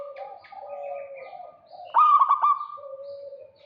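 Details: Zebra dove of a local strain giving a rival-luring call: soft, low cooing from other doves, then a single loud burst of quick, rattling pulsed coos that fades into a drawn-out tone.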